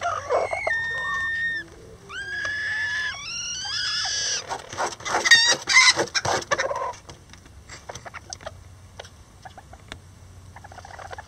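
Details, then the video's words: Lavender bantam roosters helping a hen build a nest: a series of drawn-out rising calls, each climbing in pitch, then a noisy burst of clucks fading into soft scattered ticks. "Miniature Roosters And Hen Build A Nest Together | Chicken Sounds Lavender Bantam"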